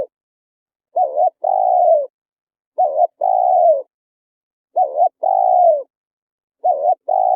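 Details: Spotted dove song used to lure wild birds to a trap: four deep phrases about two seconds apart, each a short dipping coo run into a long, slowly falling coo, with clean silence between.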